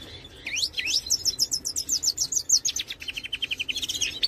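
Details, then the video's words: European goldfinch of the Major form singing a rapid, twittering song of high metallic notes, ending in a fast repeated trill of short tinkling notes; sung to show that Major goldfinches do sing. "El canto del jilguero Major"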